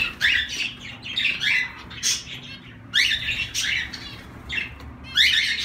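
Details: Several zebra finches keep up a near-continuous chatter of nasal, beeping calls, overlapping buzzy notes repeated irregularly through the whole stretch, with a soft steady hum underneath.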